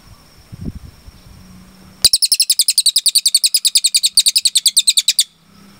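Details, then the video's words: Cililin singing a clear long-shot phrase for training captive birds: soft low rustling at first, then over three seconds of fast, high, sharply repeated chip notes about six a second before falling silent. "MASTERAN CILILIN GACOR JERNIH TEMBAKAN PANJANG"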